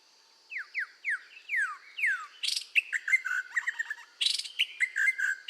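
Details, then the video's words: Red-whiskered bulbul singing strongly for voice training, opening with five or six clear falling whistles, followed by busy chattering phrases mixed with harsh noisy bursts. "tiếng chim chèo lửa hót căng luyện giọng kích lửa"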